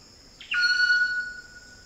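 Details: A wild Eclectus Parrot calls in Cape York rainforest, Australia. A brief harsh onset opens into a loud, clear, level whistle held for nearly a second before it tapers off. High insect buzzing is heard throughout.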